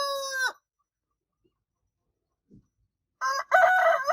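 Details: Rooster crowing: the end of one crow, a long silence, then a harsh new crow beginning.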